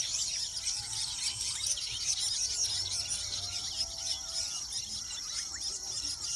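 A dense, continuous chatter of weavers: many high, buzzy, sizzling notes and short squeaky twitters overlapping without pause, with a faint low rumble beneath.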